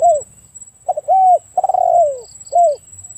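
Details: Spotted dove giving soft, low cooing notes: short arched coos, one stuttering into a longer drawn-out falling coo, then a final rounded coo. A steady faint high tone and a few soft high beeps sound behind.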